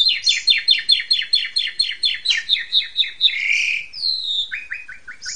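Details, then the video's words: Asian pied starling master song for young birds to learn: about fifteen rhythmic scratchy notes in steady succession, then a harsh buzzy phrase and several rapid chips. "JALAK SUREN"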